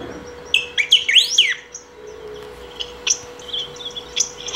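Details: Saffron finch singing at length to call or train: a rapid phrase of rising and falling slurred whistles, then a scatter of short, high, irregular chirps, over a constant low hum.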